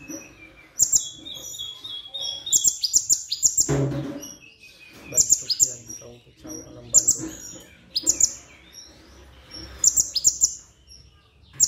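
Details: Brown-throated (plain-throated) sunbird giving bursts of sharp, very high chirps and thin twitters, repeated every second or two, with a soft thump partway through.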